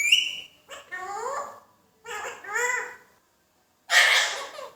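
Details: A green Indian ringneck talking parrot gives a short high whistle, then two bursts of nasal, speech-like words such as "Allah ho" and "mithu mithu mein tota", and ends with a harsh, raspy squawk.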